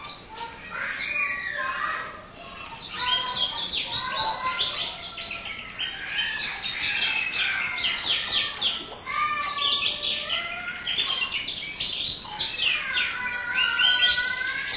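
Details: Local canary in full song: a dense, continuous stream of fast varied chirps, rolling trills and rising and falling whistles, loud throughout with a short dip near two seconds.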